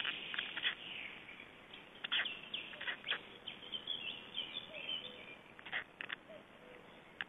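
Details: Black stork chicks at a feeding in Estonia, 21 May 2012: harsh, broadband rasping bursts come in irregular clusters, some quick stuttered runs, with brief gaps and quieter nasal notes between.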